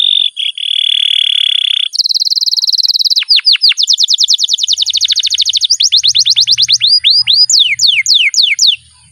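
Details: Canary kept as a pet, singing a long rolled song to spur other canaries: level whistled note, then a higher rapid buzzy trill, then quick repeated sweeps, ending in falling slurs, with faint low background hum.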